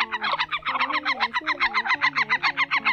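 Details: Whimbrel calls recorded for the 2020 migration season, in October: rapid rippling whistled notes repeated about seven times a second in a steady even series, over a low sustained musical drone.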